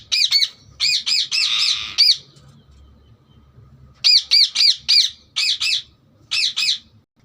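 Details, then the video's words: Green parrot chirping in rapid runs of harsh arched notes, one burst blurring into a longer scratchy squawk, followed by quiet and more spaced chirps. "parrot chirping sound"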